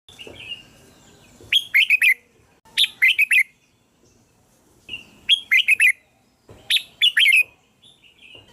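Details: Red-whiskered bulbul song used to call and attract bulbuls: short bursts of bright, bubbling whistled notes, four phrases roughly every one and a half seconds with quiet gaps between.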